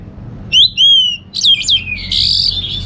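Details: A kept orange-headed thrush from Singaraja, North Bali, gives receh-style song. Two loud pure whistles, the second long and level, lead into twisting notes and then a long buzzy, wavering phrase.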